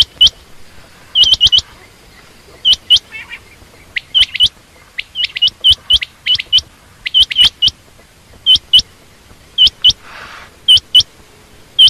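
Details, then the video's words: Female quail, given as common quail or rain quail, repeating short high upward-flicking chirps, mostly in twos and threes, about once a second, with faint rustling between calls. "common quail/Rain quail sound)chinga batair ki Awaz)Звук самки перепела"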